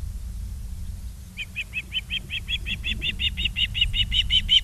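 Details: Osprey calling at a nest in Charlo, Montana, on the afternoon of 22 August 2023, from a live nest camera. A low hum gives way to a run of sharp repeated whistled chirps that grow louder and quicker toward the end.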